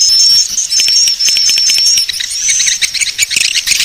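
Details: Lure call for attracting swiftlets: a steady high thin whistle held over a thick bed of rapid twittering and chirping from many swiftlets, with the chatter turning rougher toward the end.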